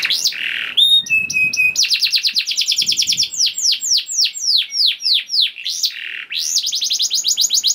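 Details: Canary song used as a lure to prompt other canaries to sing: fast chopped trills of rising-falling notes, a brief steady whistled tour, then a run of loud downslurred sweeps and a closing rapid trill, all high and continuous.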